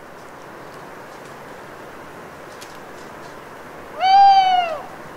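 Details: Owl calling alone at night in an autumn wood in the Cévennes foothills near Les Assions, France, after long rain. A soft dripping background is broken near the end by one drawn-out, mournful hoot that rises slightly and then falls away.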